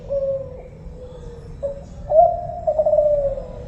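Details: Spotted dove, Kelantan type, cooing: a drawn-out low note sinking slightly, a brief pause, then a short note and a louder sustained coo that trails downward, over a quiet steady background rumble.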